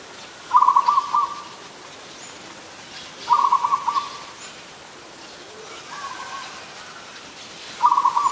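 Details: Adult zebra dove in Ubon Ratchathani, Thailand, recorded 24 December 2020: rapid staccato cooing trills, each burst about one second long, repeated roughly every three seconds, with a fainter softer coo between bursts.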